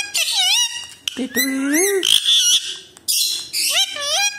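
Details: Pet Alexandrine parakeet giving high, wavering whistles and squeaky, slurred phrases in quick bursts, some notes sliding up and down, indoors with no other voices.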